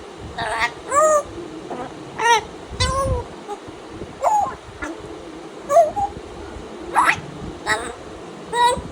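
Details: Tame pet African grey parrot greeting the morning with playful mimicry: a series of whistled and voice-like squawks with rising and falling tones, spaced about a second apart, in a quiet room.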